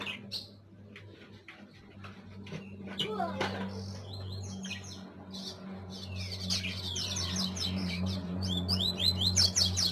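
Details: Song of a double-collared seedeater over a steady low electrical hum: scattered clicks at first, then a fast, high chattering series of descending chirps growing louder toward the end.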